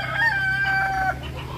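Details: Kukuak Balenggek rooster at a practice crowing contest in Sawahlunto: one steady, clear crow note held for nearly a second, then cut off, over a low background hum.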